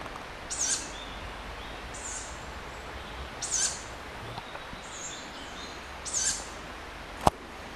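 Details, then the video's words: Young tawny owls, a group of chicks heard on a late-night walk, begging and keeping in touch: rasping high hisses repeated roughly every one and a half seconds, five calls, followed by a sharp click. "Tawny Owl Chicks"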